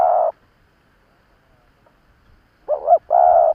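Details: Decoy spotted dove provoking rival birds: the tail of one coo, then a pause with faint soft noises, followed by a full phrase of a quavering note and a longer steady coo.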